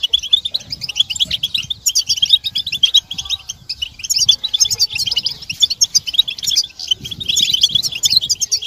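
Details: Group of European goldfinches giving excited twittering and mating calls, played to motivate silent males to sing; many bright, quick chirping notes tumble over one another without a break.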